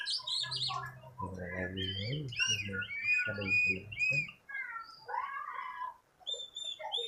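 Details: Oriental magpie-robin (kacer), a newly bought bird being trained, singing vigorously right away: clear whistled notes and short slurred phrases, some rising and falling, with a man talking over the first half before the song continues alone.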